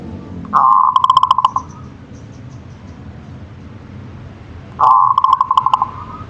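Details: Zebra dove (local perkutut) singing two phrases about four seconds apart, each opening with a sustained buzzy coo that breaks into a quick series of pulsed notes, over faint background noise.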